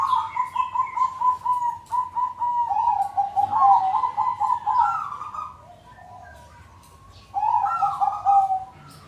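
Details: A group of zebra doves already cooing, used as a lure for doves that are jammed or not yet singing. Rapid, rolling mid-pitched coos run in overlapping phrases, then pause briefly before another burst.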